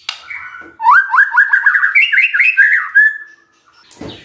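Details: Lure song of a magpie-robin, meant to get a silent bird singing back: a fast, continuous chain of sweet whistled notes rising gradually in pitch before fading, with a brief scratchy sound at the end.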